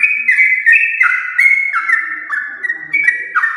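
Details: Long rapid song of a champion-line Yellow-vented bulbul, played to lure pet bulbuls into singing: bright whistles sliding downward in quick steps, phrases running together without pause, a soft low murmur in the background.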